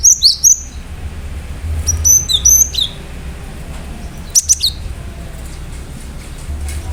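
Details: Singing cinereous tit, a lure recording to set other birds singing: short clusters of sharp, high whistled notes, each dropping in pitch, come in three bursts separated by pauses over a low steady hum.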